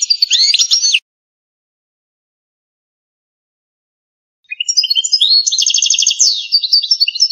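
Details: European goldfinch, authentic Algerian, in canto campero song: a dense, jangling burst of twitters, about three seconds of silence, then a long, lively stream of rapid chattering trills and whistles.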